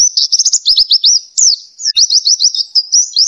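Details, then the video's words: Oriental white-eye singing, used as training song for other birds: a rapid, unbroken stream of high, thin chirps and twitters with quick rising and falling notes, and no other sounds. "MASTERAN NGLAS PLECI GACOR FULL ISIAN"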